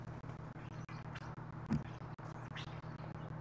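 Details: A Northwestern crow (Corvus caurinus) gives a low, rapid knocking rattle, a steady train of dull clicks broken by a few short pauses, over faint hiss; after being nipped for snatching dog food, owner thinks it apologises.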